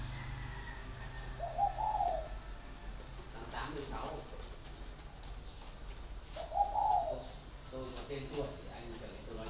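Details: Caged spotted dove in a dragon-door cage at a northern Vietnamese dove farm in Ba Vì, Hanoi, cooing twice, about five seconds apart, between bursts of human speech and light clattering.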